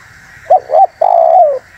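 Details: Single spotted dove phrase for attracting wild doves: two brief rising coos, then one sustained, slightly falling coo, over a faint continuous hum.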